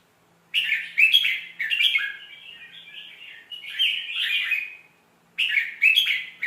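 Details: Red-whiskered bulbul song for training young birds: after brief silence, loud liquid whistled notes, a long wavering warble, another rich phrase, a pause, then a final burst of sharp, cheerful notes.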